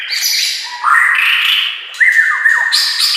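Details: White-rumped shama song used as master training song: loud squawky phrases with long level whistled notes, a rising slur and a sharp drop, then a bright high burst at the end.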